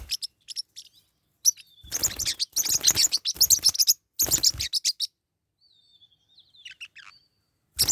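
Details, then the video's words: Pet Forpus parrotlets in a fight: long stretches of fast, harsh, high-pitched chattering with scuffling thumps, then a thin drawn-out whistle and soft chirps before another sharp burst. "My birds are fighting What should I do? | forpus parrot bird"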